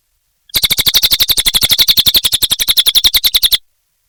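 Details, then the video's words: Cililin (bar-winged prinia) singing; a steady rapid series of sharp high chipping notes, about four per second for three seconds, evenly spaced and unvarying, with silence before and after. "Suara Burung Cililin Gacor"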